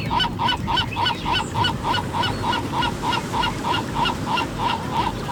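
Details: Seagulls on Mission Bay Beach, California, on the Pacific coast in the morning. Recorded with an Olympus PEN E-PL9. A steady run of loud, arched, nasal calls repeats about three times a second over low surf and wind rumble.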